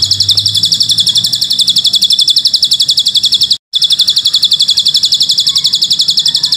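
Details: Bar-winged prinia (ciblek gunung) in tutor audio for training young birds, with long cililin-style fill phrases: a steady, very fast run of high, sharp ticking notes, about four per second, broken once by a short silence.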